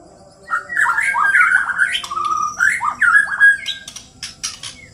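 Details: Two white-rumped shamas from Borneo, Indonesia, fighting: rich whistled phrases with warbling slurs and quick rising and falling notes, dense and overlapping, then a few sharp high chips at the end.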